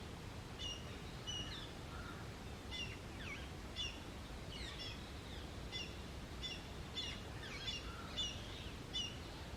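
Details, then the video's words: Indian grey hornbill making weird, strange calls and whistling sounds: a loose series of faint, high, slurred squealing notes, several per second at times, over a steady low rumbling background noise. "BIRD CALLS: Hornbill Bird and Weird sounds they make"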